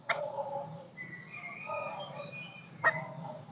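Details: Golden-crested myna, a kept bird used as a lure to call flocks, singing: a sharp note, then drawn-out whistled and warbled phrases with varied pitches, a second sharp note near the end, indoor hum underneath.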